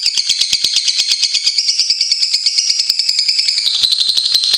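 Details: Lovebirds singing for a tutor recording: an unbroken shrill chatter of quick rhythmic pulses, roughly three per second, the pitch dipping slightly toward the end.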